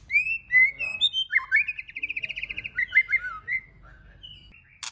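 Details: White-rumped shama song meant to provoke other shamas into singing: rich, flowing whistles lead into a fast run of rolling, trilled notes, then several slurred whistled phrases, ending with a single click.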